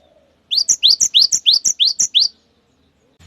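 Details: Cinereous tit giving the long 'wucit wucit' song meant to stir others of its kind into singing: a quick run of about six bright, sharp two-note whistled phrases, evenly repeated, then silence.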